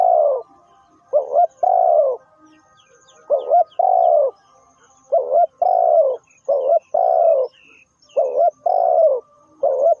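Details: Spotted dove serving as a lure for trapping coos steadily, giving about six phrases. Each is a short doubled note leading into a longer, low, husky coo, with brief pauses between phrases.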